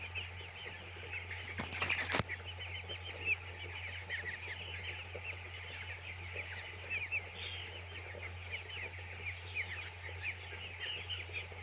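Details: Chicks on a poultry farm: a dense chorus of high, short peeps overlapping continuously. A steady low electrical hum runs underneath, with a brief rattling knock near the two-second mark.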